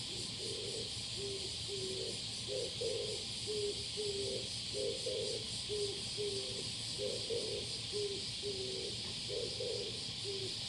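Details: Low, hooting coos from a male Oriental turtle dove recorded on 21 July 2022, repeated in a rhythmic sequence of paired and single notes throughout, with loud shrill insects buzzing steadily behind.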